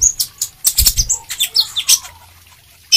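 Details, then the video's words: Sunbird singing energetically, a fast jumble of high thin whistles, sharp chips and short buzzy notes, broken by clicks and rustling. "suara kolibri gacor"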